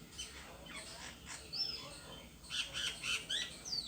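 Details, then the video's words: Perched alone in a tree, a bird utters rapid, high, slurred chirps, sparse at first, then a denser burst of sharp tweets in the last second and a half, over a constant noisy background. "The bird sitting alone on the tree is making a sound"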